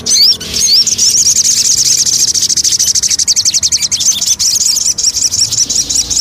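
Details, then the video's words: Lure song of a Javan cochoa: after two rising whistled notes, a fast, thin, high-pitched chatter of repeated chirps continues steadily to the end. "Pancingan Burung Sogon"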